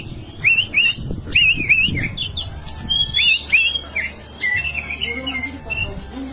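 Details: Oriental magpie-robin song meant to make a magpie-robin chatter and grow aggressive. Curled whistled notes repeat in quick pairs and triplets, then softer lower whistles follow, with some low thumps and a steady hum.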